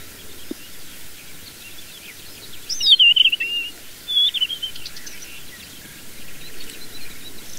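A Desert Wheatear gives two clear, high whistled phrases that slide downward, about a second apart, over soft steady background hiss.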